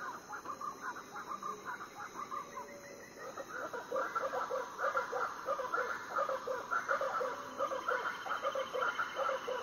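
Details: Predawn chorus of Variable Chachalacas on Foengoe Island, Suriname: raucous, rhythmic notes repeated over and over in overlapping bursts, with a constant high-pitched insect hum in the background.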